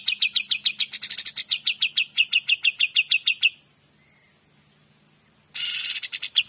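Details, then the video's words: Lively, clear Kapas tembak song: a long, rapid string of sharp metallic chip notes at an even rate, then silence, then a new phrase beginning with a harsh, rattling burst. "KAPAS TEMBAK GACOR DOR"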